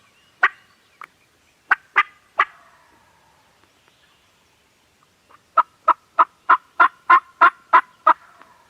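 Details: Farm turkeys gobbling, recorded on a Canon G7X camera: a few loud, harsh broadband bursts, a pause of about two seconds, then a fast run of nine evenly spaced rattling bursts.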